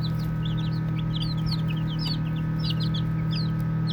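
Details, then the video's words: A flock of baby chicks peeping as they play: clear, high, slurred chirps, some longer and sweeping, tumble over each other quickly above a persistent low drone. "Baby Chicks Chirping Sounds"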